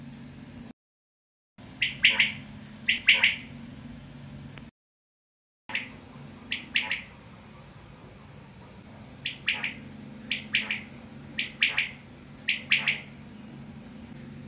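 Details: Quail, known as batair, repeating a crisp, high, three-note call roughly every second in loose series, with a constant low droning hum behind.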